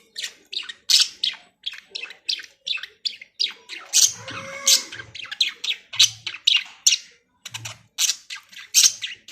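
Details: Budgerigars, said to be in a happy mood, chatter with rapid, scratchy chirps and squawks, high-pitched and continuous.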